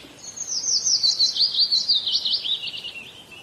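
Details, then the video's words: Common myna (shalik pakhi) from India giving a continuous thin, high warbling twitter of rapid wavering notes, slightly falling in pitch over about three seconds, against faint background hiss. "Common Myna Bird Sound ! Shalik Pakhi India Birds ! Shalik Pakhi dark ! শালিক পাখির ডাক"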